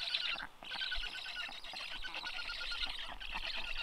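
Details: Black stork chicks at a nest in Karula national park on a rainy, cold day, 14 June 2022, as the father arrives to feed them: continuous wheezy, hissing calls, dense and raspy, with brief pauses.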